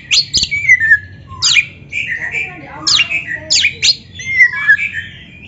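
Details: Oriental magpie-robin (kacer) song, played as a tutor recording (masteran) for beginner, practising or reluctant captive birds. Loud, varied phrases of sweeping whistles, sharp downslurs and scratchy notes in quick bursts, with low hum indoors.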